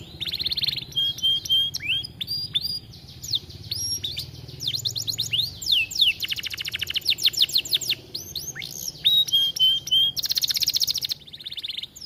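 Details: Canary singing strongly in an aviary, a tutor song to stimulate other canaries: buzzy rolls, fast ticking trills and descending sweeps alternate with level whistled notes over steady low background hum.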